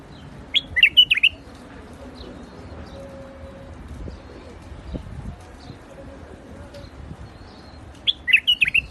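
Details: White-eared bulbul (Pycnonotus leucotis) singing in a rooftop garden: two short bursts of bubbly, liquid whistled notes about seven seconds apart, with a faint low hum and quiet background between them.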